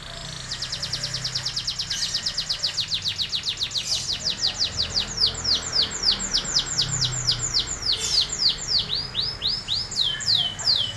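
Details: Canary singing a long, rapid trill of high, clipped notes, with about three to four notes a second, sweeping down and growing louder and more varied toward the end, over low background hum.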